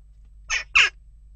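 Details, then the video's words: Western jackdaw calling amid unrest at its nest box: a pair of short, grating calls, the second stronger, then silence apart from a low background hum. "Onrust blijft door--kauwen"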